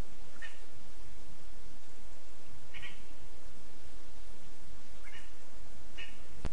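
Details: ['Chick of a lesser spotted eagle at a spruce-tree nest in Zemgale, Latvia, on 15 August 2024, giving four brief high yelps spread over several seconds. A continuous hiss sits underneath, and a click comes at the close.']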